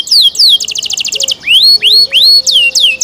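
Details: Brief canary phrase: two falling whistles, a rapid buzzy trill, then four rising upslurred notes and a descending sweep, bright and high.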